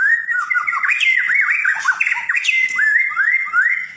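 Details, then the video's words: White-rumped shama of the 'fighter' type, known for varied fighting styles, pouring out a continuous rapid warble of looping whistled notes that rise and fall, with scratchy high accents. "MURAI BATU FIGHTER memiliki berbagai gaya tarung"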